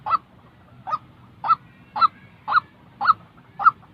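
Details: White-breasted waterhen calling, a real bird's voice used to train newly molted decoy birds for trapping: sharp, hollow notes repeated steadily about twice a second, seven in four seconds.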